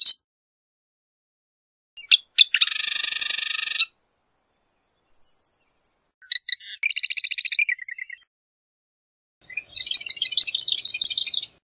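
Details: Several songs of a marsh wren, separated by silent gaps: a loud, harsh, buzzy rattle, then a stuttering, gurgling trill that drops at the end, and finally a sputtering high trill.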